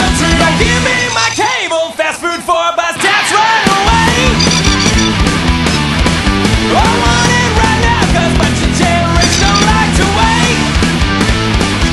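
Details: Loud, driving punk rock with distorted guitars, pounding drums and yelled vocals, with no animal sounds.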